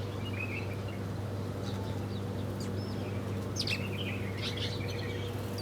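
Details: Birds eating breakfast, giving brief high chirps and quick twittering phrases that grow busier toward the end, with a steady low droning hum underneath.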